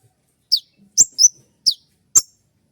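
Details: Sharp 'shot' notes of konin trotol meant to train other songbirds at dawn: five quick high chips, each dropping steeply in pitch, spaced about half a second apart.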